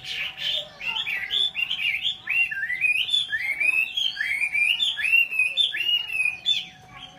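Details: Caged Chinese hwamei from Vietnam delivering a strong, varied song of looping whistled phrases, each note bending upward or downward, flowing almost without pause for seven seconds over a faint steady hum.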